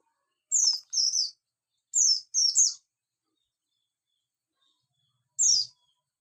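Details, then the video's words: Javan white-eye singing in the morning: high, thin twittering bursts in short doubled phrases, three groups over six seconds with silent gaps between. "pleci bustomii di pagi hari"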